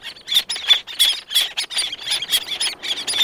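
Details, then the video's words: Several black-naped terns call close up with others in the distance and audible wing beats: harsh, scratchy high-pitched calls about three times a second, overlapping in a busy chorus. "Black Naped Tern / Black-Naped Tern. CU Calls From Several, Others In Distance."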